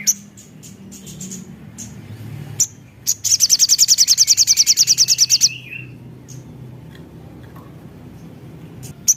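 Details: Javan cochoa singing as a lure to prompt other birds. Scattered sharp high chips lead into a fast pulsed trill lasting about two seconds, closing with a slurred downward whistle, then quiet with one more chip.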